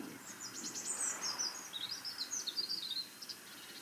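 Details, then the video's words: Eurasian blue tit calling in a country garden at Pagham Harbour, West Sussex, on an autumn morning: a quick run of very high, thin, tinkling notes for about three seconds over soft outdoor background hiss. "Blue tit's calling."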